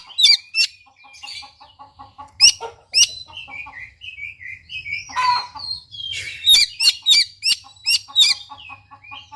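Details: Oriental magpie-robin (kacer) song, used as a lure to provoke a quiet bird to sing: loud varied phrases of sharp high chirps, rapid repeated notes and sliding whistles in busy bursts, with a faint low hum underneath.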